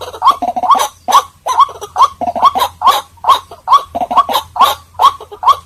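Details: White-breasted waterhen giving harsh, grunting croaks repeated in a steady run about twice a second over a faint low hum; a lure recording for attracting waterhens.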